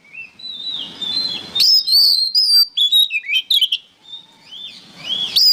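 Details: Oriental magpie-robin (kacer) song meant for training songbirds: a rising sweeping whistle, then loud bursts of shrill whistled notes and quick twittering, a quieter pause, and a final sharp upward whistle.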